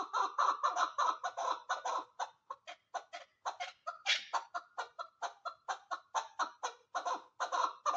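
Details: A female chukar partridge gives rapid, repeated harsh clucking notes, about two per second, in a steady chuck-chuck series.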